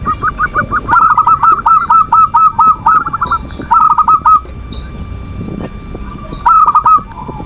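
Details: Zebra dove (perkutut) manggung used to bait a rival's emotion; several fast rolling runs of bubbling coos separated by pauses, with high chirps of other small birds scattered throughout.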